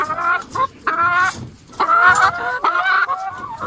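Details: Hens in a coop cackle loudly, giving harsh, nasal, drawn-out calls in bursts roughly a second long, separated by short gaps, with quieter clucking between.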